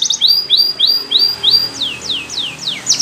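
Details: Canary training song with evenly spaced rising, slurred whistles followed by steep downward sweeps, each note clear and ringing over a faint low background murmur.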